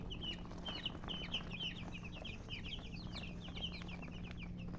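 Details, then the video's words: Colour chickens giving rapid, high, sliding peeps, several birds calling at once in a lively chatter, with a steady low hum behind. "silly chicken chirping sounds"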